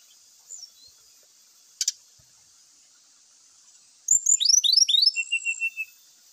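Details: Grey-chested jungle flycatcher in vigorous song used as a lure to make birds sing: mostly quiet with a faint whistle and a click, then a burst of fast rising slurred notes ending in a short repeated trill.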